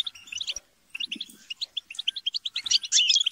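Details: A group of European goldfinches chattering and squabbling, used to stimulate a goldfinch to sing: quick liquid twittering notes repeated several times a second, with harsher buzzes mixed in.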